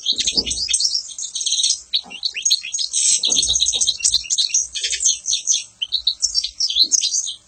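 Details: European goldfinch singing a continuous, rapid twittering song of bright, high chirps and buzzy notes with barely a pause, with a few faint low background noises.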